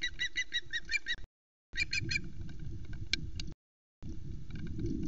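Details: A female osprey at the Loch Arkaig nest calls to announce her arrival. Rapid series of ringing chirps, then a shorter burst with a few clicks, broken by silent gaps. Low rumbling background noise runs beneath.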